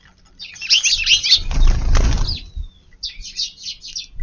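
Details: Garden tree sparrows arriving for a midday meal in March: sharp high chirps, then a loud whir of flapping wings, followed by a fresh burst of rapid chirping.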